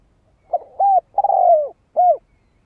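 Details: Single song phrase of a spotted dove, used as a lure: a faint lead-in coo, an arched coo, a long buzzy coo drooping in pitch, then a short rounded end coo, over near silence.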